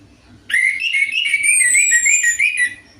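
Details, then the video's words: Orange-headed thrush lure song for a bird that rarely sings: a sustained, rapid run of rich, undulating whistled warbles with high thin overtone whistles above, faint low hum underneath. "DENGAN PANCINGAN ANIS MERAH AMPUH INI, ATASI SUSAH BUNYI ANIS MERAH"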